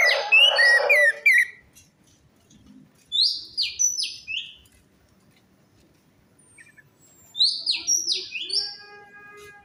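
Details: An orange-headed thrush sings in a lure recording for birds that are silent or stressed: an opening of dense, harsh warbling, then clusters of high, sharply descending whistled notes separated by pauses.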